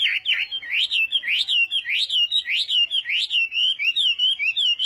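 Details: Hwamei singing its morning voice-training song, fighting style: loud, clear whistles that rise and fall, repeated about four times a second over a quiet background.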